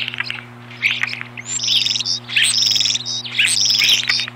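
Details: Osprey defending the nest against an intruder, April 2015: loud, piercing drawn-out whistles with wavering tone, given in long phrases separated by brief pauses, over a low mechanical hum.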